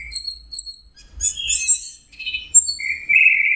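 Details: Anis merah, the orange-headed thrush, giving a melodious song: high thin whistles, then a brief tangle of twittering notes, ending in a sustained, slightly wavering whistle. The background is quiet apart from faint low rumbles.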